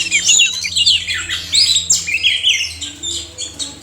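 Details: Oriental magpie-robin male and female singing, used as therapy for caged birds that will not sing; harsh scratchy notes mixed with bright whistles in short bursts, steady faint hum underneath.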